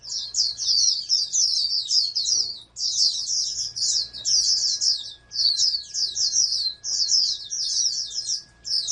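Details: Bred oriental white-eye, a prospective national contest winner, pours out high rippling twitters in phrases of one to two and a half seconds separated by brief gaps; faint background hum throughout.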